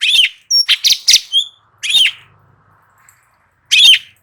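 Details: Light-vented bulbul singing vigorously in tutoring audio meant to make other birds answer; loud, bright chirping bursts, a quick cluster of short notes followed by single rich phrases with pauses between.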